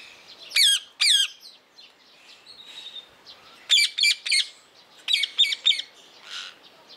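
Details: Captive blue rose-ringed parakeet at Opole Zoo giving shrill, grating screeches in bursts: a pair, then a quick triple, then another triple, with soft chatter between the bursts.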